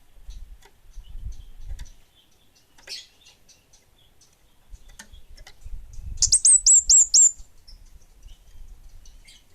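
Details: Orange-headed thrush of the bunga api kind in active song: quiet ticks and low rumble, then a brief rapid burst of about six shrill, high, down-hooked whistles, followed by faint scattered notes.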